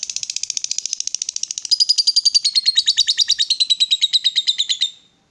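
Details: A lovebird in excited, provoked mood delivers a long ngekek chatter: a continuous fast buzzy trill of rapid pulses, shifting slightly lower in pitch midway and lasting about five seconds before stopping.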